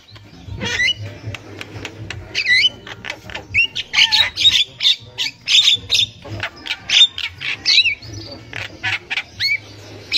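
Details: Javan myna singing in the wild, a recording intended as a lure for young mynas: a long series of rapid squawks, clicks and whistled rising and falling notes, growing louder and denser midway, with faint low hum beneath.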